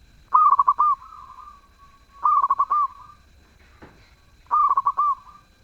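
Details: Zebra dove, described as lively and melodious, sings three soft cooing phrases roughly two seconds apart. Each phrase is a quick stutter of rolling coos ending in a longer drawn-out note, with a faint click between phrases.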